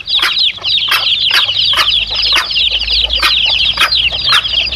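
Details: Chicks alongside their mother hen, intended to draw in male wild junglefowl: an unbroken wash of high-pitched cheeping, with sharp broad pulses recurring roughly every half second over a faint low rumble.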